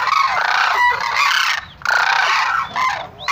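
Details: Sarus cranes give loud, coarse honking calls that overlap into a dense chorus, with one short pause partway through.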